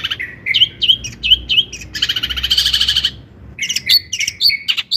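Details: Long-tailed shrike singing to trigger song in other shrikes: quick slurred chirps, a dense harsh rattling passage, then varied whistled and twittering phrases.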